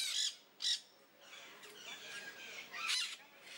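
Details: Close-range peach-fronted parakeet screeching: two sharp, shrill squawks in quick succession, then quieter rasping chatter and one more loud harsh burst near the end.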